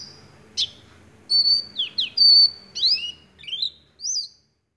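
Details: Oriental white-eye in steady, chattering ngecrok style, mimicking white-rumped shama: a varied string of sharp whistles, a long flat whistled note, downward slurs and rising twitters with brief gaps, ending in silence.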